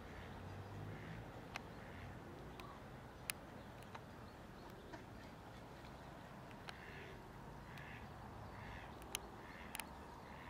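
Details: Common cranes (Grus grus) give short, rolling trumpeted calls in loose bursts, a little faint over distant traffic rumble and a few sharp clicks, at Prule, Ljubljana, Slovenia, on 7 March 2024.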